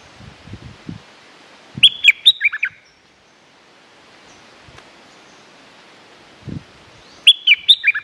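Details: Lure song of the stripe-throated bulbul, where every bird is said to be aggressive: two separate rapid phrases of liquid whistled notes several seconds apart, with scattered low knocks and rustles between them.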